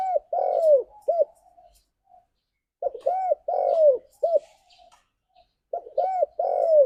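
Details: Spotted dove calling to its companions, a bird kept for song practice: three phrases of several quick arched coos ending in a longer descending coo, spaced about every three seconds, with faint background ticks.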